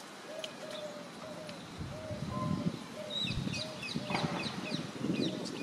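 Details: Eurasian hoopoe giving its alarm call: soft, hollow low notes in short runs about once a second, with thin high chirps from other birds and a low rumbling background.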